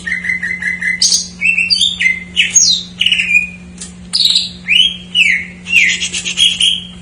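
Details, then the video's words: Greater green leafbird song with jamtrok-style fill-ins, used as a lure for untrained or silent birds: opens with a steady series of even low notes, then bursts into varied slurred whistles, chattering phrases and downward-curving notes. "JAMTROK MANIA : cucak ijo isian , pancingan paling ampuh untuk burung bahan / macet"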